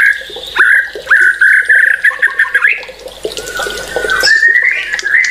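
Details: White-rumped shama song: a string of short buzzy notes repeated roughly every half second at a steady pitch, then a longer drawn-out rising whistle.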